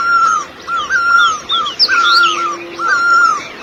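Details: Great barbet in Asia: repeated mid-pitched whistled notes, some slightly falling, roughly once a second, with higher thin chirps from other birds overhead and a brief low hum.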